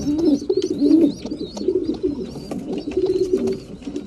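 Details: Rolling, bubbling coos from breeding pigeons at mealtime, several phrases in four seconds, overlaid by thin high whistled squeaks, probably from young birds.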